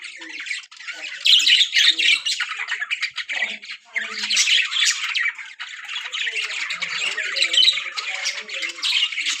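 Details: Budgerigars in a breeding colony with pairs ready to breed: a dense, continuous warbling chatter of many birds, full of scratchy squawks and chirps that rise and fall in loudness, with brief quieter gaps.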